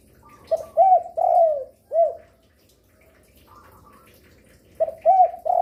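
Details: Spotted dove said to call readily from midday into night, used to lure other doves; a phrase of short stuttered coos, a drawn-out falling coo and a clipped end note, then a new phrase starting.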